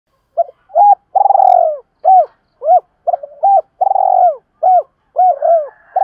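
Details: Spotted dove decoy cooing to lure wild doves and train birds: a rapid run of short, hollow, arched coo notes mixed with longer, drawn-out purring coos, with brief pauses between. The background is quiet.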